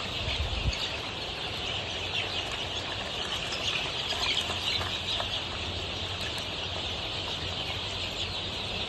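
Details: Golden Misri chicks, 23 days old, on a poultry farm in Pakistan; a dense, high, shrill chorus of overlapping peeps with scattered sharper chirps, over a steady low hum.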